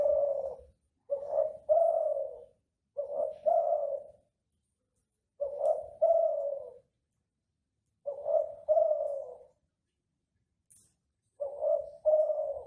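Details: Ringneck dove in the classic Kelantan style, singing steadily as a model for other doves: paired soft coos repeated about every two to three seconds, each phrase a short note then a longer, slightly falling one.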